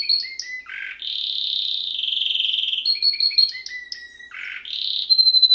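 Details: Canary singing during training: long varied phrases mixing sweet whistled notes, a sustained buzzy rolling trill for nearly two seconds, and rapid chirps, all high-pitched and clear against a quiet background.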